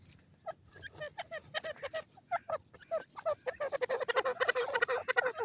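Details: Male partridge in the wild giving a rapid series of harsh, harmonic clucking notes, roughly three per second, starting sparse and quickening into a dense, louder, chattering run toward the end.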